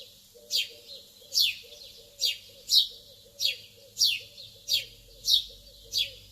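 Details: Lovebirds in the early morning giving sharp, high chirps that slide downward, spaced roughly every 0.8 seconds, with a soft lower warbling undertone between them.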